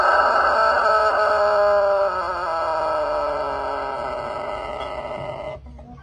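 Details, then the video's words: Rooster giving a long, drawn-out crow in a compilation of funny rooster noises: a rich harmonic call that slowly slides downward over about five and a half seconds, then cuts off abruptly. "Funny Rooster Crows!!!"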